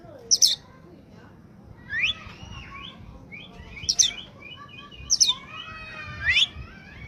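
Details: Oriental magpie-robin (kacer) singing in peak form, song used as a lure for catching wild birds: loud varied phrases of sharp high whistles, rising slurred notes and rapid chattering trills, bursts roughly every one to two seconds over a quiet background.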